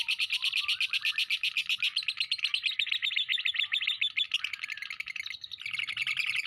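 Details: Ngekek from a lovebird, a tembakan kores filler recording meant to train other birds: rapid, shrill pulsed chatter that holds without a break for the whole stretch, slightly uneven in rhythm.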